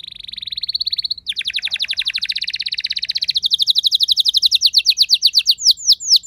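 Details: Indoor house canary singing back to another canary: an even trill, then a dense rolling burst, and finally a run of sharp, descending notes that slows toward the end.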